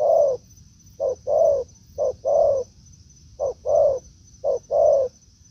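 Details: Spotted dove in forest near a decoy: four unhurried coo pairs, each a brief note followed by a fuller drawn coo, separated by pauses of about a second; thin high whine in the background.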